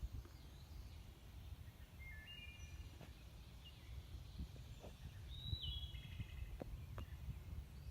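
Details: Hermit thrush (Catharus guttatus) song: two faint, fluty phrases, each a clear held note followed by a quick shimmering cascade, over a steady low rumble of wind or distant traffic.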